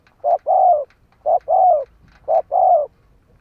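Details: Spotted dove used as a decoy, cooing in three even phrases, each a short note then a longer, softly descending coo, spaced about one second apart.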